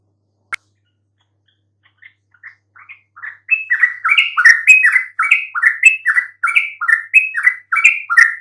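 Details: Yellow-vented bulbul song meant to make other bulbuls answer. After a sharp click and a few soft notes, a dense, loud stream of warbling chatter runs from the fourth second onward.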